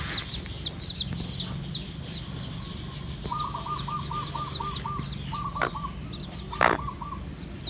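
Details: Red junglefowl hen bringing her chicks to feed in natural habitat; high chick peeps fill the opening seconds, then the hen gives a run of about ten quick, even clucks, with a few sharp taps and a low background hum.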